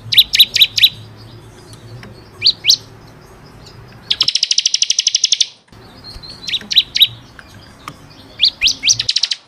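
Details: Bar-winged prinia song for training caged birds: a few loud sharp chips, then a long, dense, buzzy trill, then more chips in a quickening series. There are abrupt quiet gaps.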